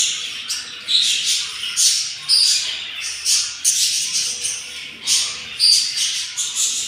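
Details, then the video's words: Raspy, wheezing begging calls from hungry yellow budgerigar chicks in the nest, day 7 of a four-egg clutch, pulsing in short rhythmic rushes about once per second. "yellow budgies take caire of their nest and hatching 4 eggs and they are very hungry"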